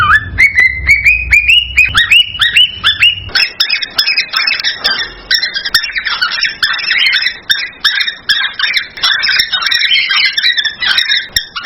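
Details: Male cockatiel's excited breeding song meant to stimulate a female: repeated rising whistles at first, then a dense overlapping chatter of many chirps and whistles filling the rest.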